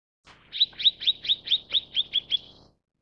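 Mrs. Gould's sunbird gives a quick series of about nine high, thin chirps, roughly four a second, with faint background hiss.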